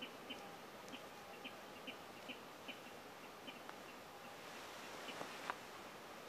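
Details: A spotted crake calling at night from a reedbed gives short, sharp whipped notes, repeated steadily about twice a second, over a low background hiss with a few faint clicks.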